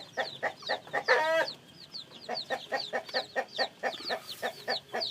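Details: Newly hatched chickens with a steady stream of sharp, high peeps about four or five a second, preceded by one loud harsh squawk early on, and soft clucking below.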